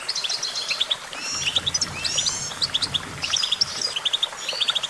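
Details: Goldfinch singing lively twittered phrases of quick bright notes and tight trills, with brief buzzy glides between bursts and a soft low hum beneath.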